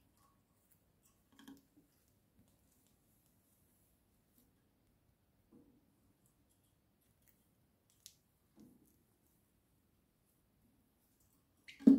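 Near silence in a small room, with only a few faint clicks and soft taps and a louder knock at the very end.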